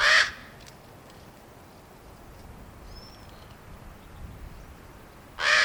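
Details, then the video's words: Fledgling common ravens, hatched April 2022 and out of the nest since mid-May, impatient for parents to bring food: two loud, hoarse squawks open and close the recording, with quiet between and a faint high chirp from another bird. "Baby ravens making noises"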